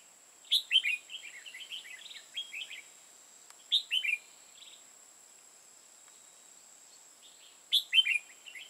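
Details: Red-whiskered bulbul kept as a trapping decoy in Hoa Binh, Vietnam, singing bursts of rapid warbled whistles, each opening with loud descending slurs and trailing into softer chatter, repeated several times with a steady background hum.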